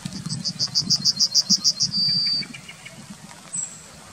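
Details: Yellowhammer song recorded in Wittlich town, 2019: around nine bright, evenly spaced high notes, then a sustained drawn-out final note lasting about half a second. Low urban background noise sits underneath.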